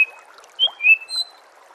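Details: White-rumped shama song from a master recording used to train songbirds: a few clear, sustained whistled notes, one higher and one lower, with a short rising note between, over a steady rushing background hiss.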